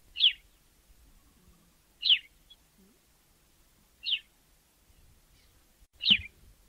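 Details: Sparrow recorded in Africa uttering single high chirps repeated roughly every two seconds, four evenly spaced notes against a quiet background.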